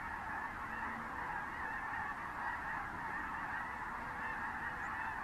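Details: Thousands of Snow Geese and other species landing and flocking over fields at San Joaquin River National Wildlife Refuge in January 2014 give a steady roar of overlapping nasal honks and yelps, with no break in the din.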